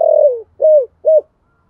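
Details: Calling coo of a spotted dove in the thổ voice style: one long purring, slightly falling note followed by two short hollow coos, then silence.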